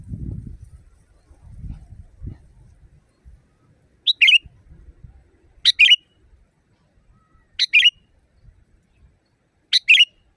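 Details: Sooty-headed bulbul, loud natural song meant for training caged birds. Low rustling and thumping open the recording, then four evenly spaced phrases of a sharp note and a brief rich warble arrive about every two seconds.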